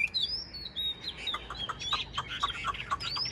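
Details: Wild-caught old Chinese hwamei, a caged bird praised for an excellent voice, singing a run of high whistled slurred notes mixed with rapid sharp chirps, moderately loud, with low background hum.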